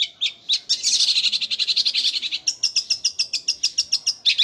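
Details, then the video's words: Long-tailed shrike with a gereja Kunti song, rolling fast like a sewing machine: a continuous run of quick, sharp, high chirps, steadily repeated about three or four per second throughout. "Cendet suara gereja Kunti tembakannya seperti suara mesin jahit roll speed fighter"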